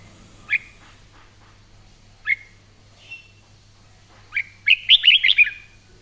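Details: Red-whiskered bulbul singing vigorously in daily voice training: two crisp upslurred whistles, a softer note, then a rising note leading into a fast, loud string of bubbling, warbled whistles.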